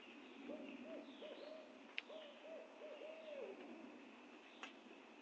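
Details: A Barred Owl (Strix varia) in a Georgia backyard in July gives a run of rhythmic mid-pitched hoots, ending in a drawn-out note that slides downward, over a faint insect hiss and two sharp clicks.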